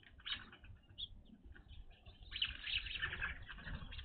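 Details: Evening grosbeaks at a backyard bird feeder: scattered short chirps early, then a burst of overlapping clear calls in the second half, over low rumbling background.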